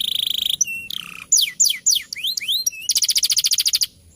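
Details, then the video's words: Champion male canary singing as a master tutor song in a ngeroll fighter style: a fast high buzzy trill, then sweeping downward whistles and slurred notes, ending in a rapid repeated rattle of bright notes. "Burung Kenari Gacor Masteran Nya Burung Juara || Suara Burung Kenari Ngeroll Fighter"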